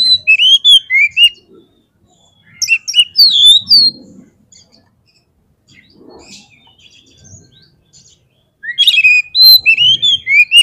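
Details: Oriental magpie-robin, song used to goad birds into aggression: three loud bursts of quick high whistles and twitters separated by quiet gaps with faint low rustling.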